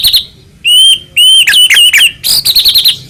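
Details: Captive Medan white-rumped shama singing as a lure for other shamas: a few quick chirps, two long pure whistles, then tumbling notes and a fast stuttering run.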